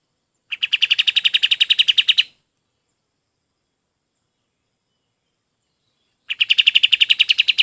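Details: Two fast trills of evenly repeated, sharp high notes from a golden-bellied gerygone, used as training song for other birds. About four seconds of quiet separate the trills.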